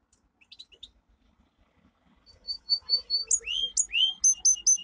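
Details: Two domestic canaries, pet songbirds, in a powerful training song: after faint scattered chirps, a loud run of high repeated notes, some rising whistled sweeps and sharp clipped syllables, about two per second.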